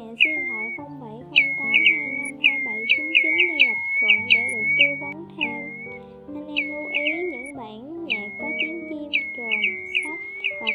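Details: Pacific golden plover flock call from a 2020 lure recording: bright, short whistled notes that flick sharply upward then slide down into a level tone, repeated in quick irregular runs, over sustained low instrumental music.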